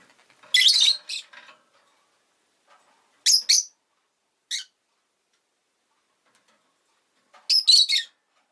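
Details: Three groups of raspy, high squawking chirps from a pet rosy-faced lovebird, spaced about three seconds apart, each group two or three quick notes, with quiet pauses and faint traffic between.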